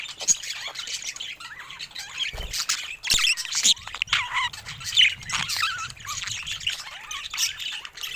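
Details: Pet budgerigars, several happy birds, chattering in a dense stream of high scratchy warbles, chirps and squawks with sharp clicks in between and a faint low rumble.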